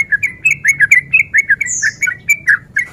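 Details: Male sooty-headed bulbul in breeding condition, used as a lure to provoke fighting: quick bubbling run of short warbled notes, a few high thin squeaks mixed in.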